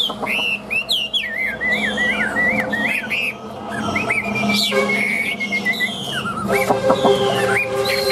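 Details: Tame caged Chinese hwamei for sale, described as loud-voiced and singing nonstop: a rapid run of clear, looping whistled notes, rising and falling, then a long level whistle, with faint voices and a low background hum.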